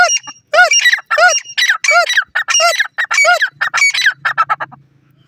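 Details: Female francolin, the desi teetar, calling in a fast run of harsh, rich arching notes, nearly continuous for four seconds then trailing into shorter clipped notes, with a faint low hum at the end.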